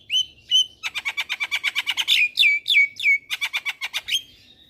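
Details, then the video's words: Lure song of the black-winged myna for prompting young birds to sing: two clear whistles, then a long run of rapid harsh pulses broken by falling whistled slurs, continuing to the end. "Pancingan Burung Jalak Kebo Super Gacor Jalak Kebo Muda Pasti Ikut Bunyi"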